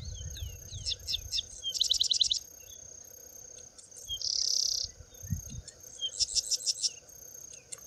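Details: Sedge wren singing in preserved clean grassland at Campos do Alto Rio Doce, Prados: thin chips and a rapid dry trill, a sustained harsh buzz, then another staccato trill, against a constant high insect tone.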